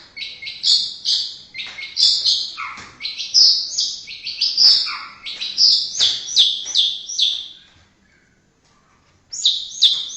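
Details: White-rumped shama of Indonesia pouring out a fast, varied song of high whistles and a few lower notes, falling silent for over a second before a final short burst.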